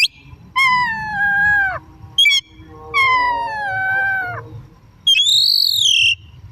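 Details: Oriental magpie-robin in full afternoon song used as lure material, giving long clear slurred whistles that slide gently downward, a short sharp note, then a high rising-falling whistle, with a soft low rumble behind.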